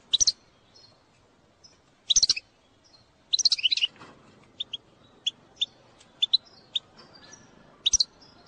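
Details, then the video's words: Goldfinch bitbita used to encourage singing: loud clustered high chirps at the start, then a sparse run of single sharp tweets and thin whistled notes, with a faint low hiss underneath. "أقوى بتبتة لتحفيز الحسون على التغريد"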